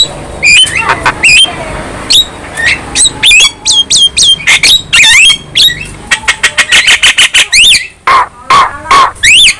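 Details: A young Javan myna sings busily as it nods: scattered clicks and short whistles, then a quickening series of sharp ticks and rising whistles that swoop up and down near the end.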